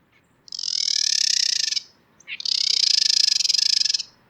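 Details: A female Carolina Wren gives two long, buzzy, rattling chatters, each a dense run of rapid harsh pulses over a second, with a brief pause. Only females chatter: it threatens other females, or tells an aggressive male she is female and no threat.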